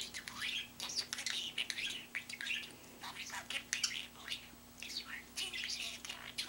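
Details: Pet budgerigar with a large vocabulary mimicking human phrases such as "mommy loves you" and "drink of water": rapid, scratchy chattering warbles and high whistled notes in quick bursts, with a faint steady electrical hum underneath.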